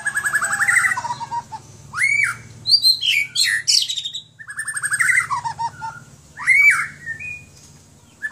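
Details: White-rumped shama owned in Aceh, Indonesia, delivering repeated phrases: short pulsed trills followed by loud upslurred whistles and sharp high notes, with a low steady hum underneath.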